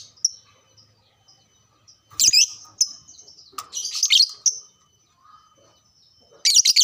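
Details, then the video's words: Caged lovebird singing to stimulate other lovebirds: sharp high squeaks interrupted by loud, raspy chattering bursts, with quieter thin whistles between. "pancingan burung LOVEBRID"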